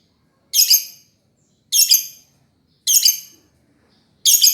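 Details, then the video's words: A lovebird repeats harsh, piercing chirps, each a brief doubled squeak, four times at uneven gaps of just over a second. "Kicauan Burung Love Berd terkeren !!!"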